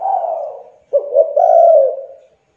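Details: A young spotted dove coos to draw other doves into calling; a fading coo, then a stuttering double note leading into a sustained husky coo that tapers off.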